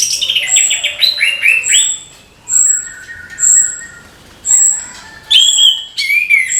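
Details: Orange-headed thrush singing in the morning: a rich, varied run of clear whistled notes, sliding phrases and high thin accents, delivered in bursts separated by brief pauses.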